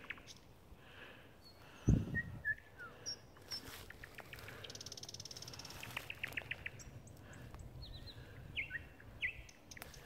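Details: A thrush nightingale, newly returned in spring, sings scattered phrases of high thin whistles, sharp chirps and a dry, fast clicking rattle, over a steady low rumble with one dull thump.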